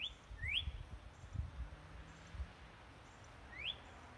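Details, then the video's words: Birds singing at sunrise: faint, thin, rising whistled notes, three brief upslurs spread over a few seconds, over steady low rumbling background noise. "birds bringing up the sun with their song"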